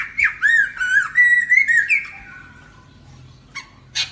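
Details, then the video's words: Lesser necklaced laughingthrush singing, a recording used to lure birds into traps; a rapid string of rich whistled, looping notes for two seconds, then the song fades and a few short sharp notes follow. "Khướu cổ khoang hót để bẫy"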